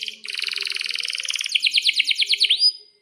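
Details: Canary in breeding condition delivering a long rolling trill, used to coax other canaries into song: a fast, even buzzing roll running over two seconds, ending in a rapid series of pulsed notes and a rising whistle.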